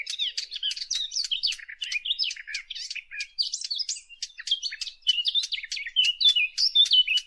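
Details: Lure recording for hunting of a warbler, called fig bird locally: a steady stream of quick, scratchy high chirps mixed with clearer whistled slurs, tumbling on without breaks throughout.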